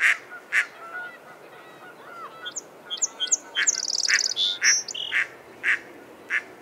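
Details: Harsh mallard quacks repeat at the start and end, with a stretch of high twittering and rapid trilled notes from another bird in between.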